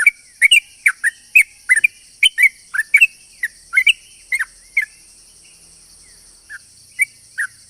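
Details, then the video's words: Sooty-headed bulbul song played as a lure for other bulbuls: dense burst of rapid whistled chirps for five seconds, then a pause and a few isolated notes, with a high steady drone behind. "pancingan burung trucuk gacor ropel panjang ini bikin semua burung trucukan yaut seketika"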